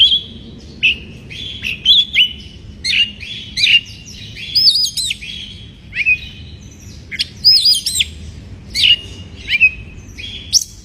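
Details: Oriental magpie-robin in breeding condition, singing to provoke rivals: a long series of sweet whistled phrases with looping up-and-down slurs and quick sharp accents, coming roughly every half second to second, on a quiet background.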